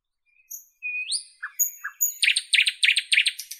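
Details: Northern European nightingale: soft drawn-out whistles and an upward swoop, two low clucks, then a rapid, steady string of loud repeated notes about five per second.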